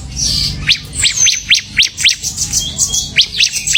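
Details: Semi gacor singing from a ciblek (bar-winged prinia): a series of loud upward-swept chirps, roughly four per second, with fainter high twittering behind them.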